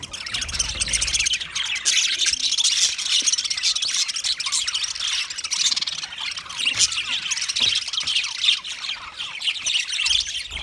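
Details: Budgerigars chattering together in a steady, dense wash of high twittering, squeaky chirps and warbles that continues without pause.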